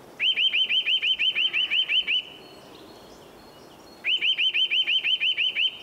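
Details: Eurasian nuthatch singing while building its nest, running up and down trees: two fast series of loud, clear rising whistled notes around ten per burst, separated by a two-second pause with quiet background.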